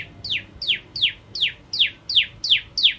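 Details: Bar-winged prinia used as a masteran bird, singing steadily: eight loud, downward-slurred chips, evenly spaced roughly three per second, with a faint low hum behind.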